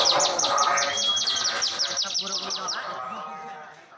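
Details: Javan white-eye in Garut, singing as a competition-style songbird: a fast series of high, thin chirping notes repeated about three times a second, fading out toward the end, with a faint musical tone underneath.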